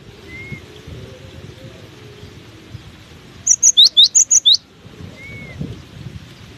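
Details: In strong wind, a cinereous tit delivers one quick burst of about seven ringing two-part notes, a high pip dropping to a lower whistle, within a second, amid steady gusty background noise.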